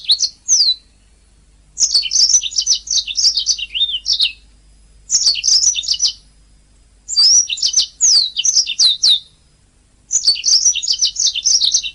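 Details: Master recording of a canary for teaching songbirds: five phrases of fast, bright twittering with rapid trills and upward-swept whistles, each phrase one to two seconds long with short silent gaps between.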